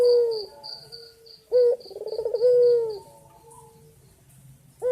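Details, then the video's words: Male white ringneck dove calling a female: a drawn-out low coo, then a pause, then a rolling bubbling coo ending in a long steady note, with a string of high thin chirps in the background. "Puter Putih Gacor Jantan Memanggil Betina"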